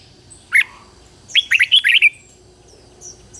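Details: Red-whiskered bulbul kept as a decoy for attracting wild birds, giving a single sharp whistle, then a quick phrase of six bright, warbled notes, with faint distant high chirps afterward.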